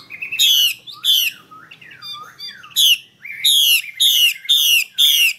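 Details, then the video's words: Female Chinese hwamei calling to stimulate males to sing fuller, more varied song: loud, harsh, downward-sweeping notes given in quick bursts, roughly two per second, with a short quieter stretch of softer notes midway. "Tiếng mi mái hay trùy trống căng như dây đàn"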